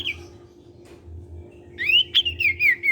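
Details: Sirtu cipow in lively voice, meant to get untrained sirtu singing: one brief whistle, a quiet gap, then a rising whistled phrase of wavering, slightly descending notes, over low constant hum.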